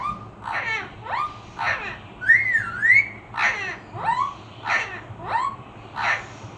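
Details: Talking parrot kept as a pet saying "Allah Ho Allah Ho" in a loud rhythmic run of falling, slurred whistle-like syllables and one looping wavering whistle, about every second, in a small room.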